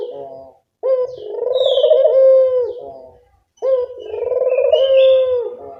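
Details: Barbary dove coos played as a lure to attract birds: two long, rolling, harmonically rich coos, each a short opening note swelling into a sustained throbbing tone about two seconds long, separated by brief silence.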